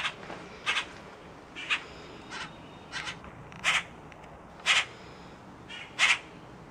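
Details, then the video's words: Common Grackle hatchlings, loud young birds in rehabilitation, kept in an outdoor aviary enclosure at a wildlife center in Virginia; harsh broadband rasping calls, several overlapping young, bursts roughly every second with fainter calls between. "Short Grackle Video"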